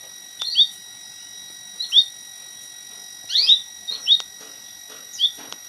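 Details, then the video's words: White-headed munia singing, recorded as training song for an oriental magpie-robin: short, very high whistled notes, sometimes doubled, a quick buzzy cluster in the middle, with a constant background electronic tone. "Emprit kaji isian Kacer"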